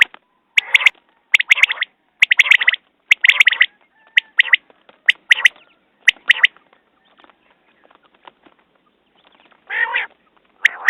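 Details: A common quail calls in rapid clusters of sharp, harsh notes for about six seconds. A quiet gap follows, then a single broad nasal note and another burst.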